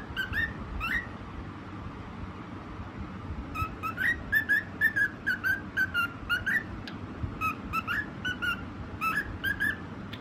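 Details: Singing white cockatiel gives two brief whistles, then a long lively run of sliding, rising and falling whistled notes roughly twice a second, with a constant low hum underneath.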